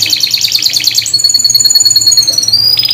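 Canary song: a fast rolling trill of bright chirps for a second, then long pure whistled notes held steady, ending in another quick trill.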